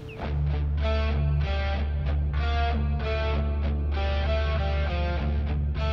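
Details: Loud strummed electric guitar music with a heavy sustained bass line throughout, and no animal sounds.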